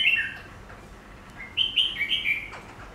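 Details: A caged Chinese laughingthrush (Garrulax chinensis) facing a mirror-like glass pane opens with a brief whistle, pauses, then delivers a quick series of four or five clear, falling whistled notes.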